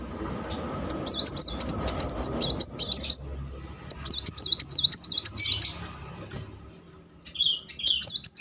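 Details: Rolling song of a muncang sunbird, a lure for a bird that has stopped singing: two bursts of rapid, high, warbling trills separated by a pause, then scattered short high notes.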